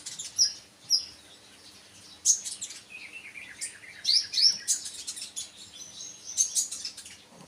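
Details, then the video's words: Sunbird singing loud, high, sharp chips and quick sweeping notes in irregular bursts, with a softer, lower twitter in between. "burung konin mu denger ini langsung yaut# kicau"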